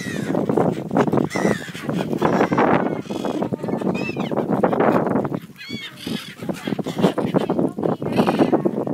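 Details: A flock of brown-headed gulls in breeding plumage at Bang Pu, Thailand, on 12 April 2012, ready to fly back to pair, keeps up a dense din of harsh, nasal squawks and cackles, with faint human voices.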